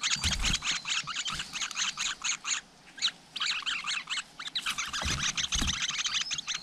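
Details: Wild flowerpeckers with young at their nest: bursts of hurried, high, scratchy chirps in uneven runs, a brief lull midway, and soft low bumps in the background.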